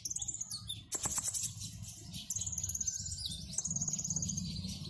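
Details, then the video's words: Caged sunbird in energetic song, pouring out learned imitations: thin high sweeping whistles and rapid chattering trills, broken by a few sharp clicks, with low hum beneath. "Kolibri Ninja Gacor bongkar isian"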